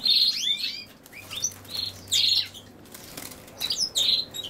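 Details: European goldfinch, with common sow-thistle, singing liquid, descending twitters and buzzy trills in several short, irregularly spaced phrases.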